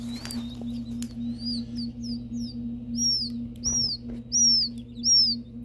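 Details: Newly hatched ring-necked pheasant chicks, sixty taken from an incubator, eggs from Nebraska, hatched with golden and Lady Amherst pheasants and Gambel's quail; high, thin, arched peeps repeated faster toward the end, over a steady low electrical hum.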